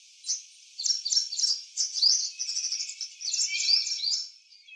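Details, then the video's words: A purple sunbird in eclipse plumage sings one of its different songs in a backyard: bursts of very high, jumbled chipping and squeaky trills with a few rising whistles, broken by short pauses, fading at the end. "Purple sunbird in eclipse plumage singing different songs"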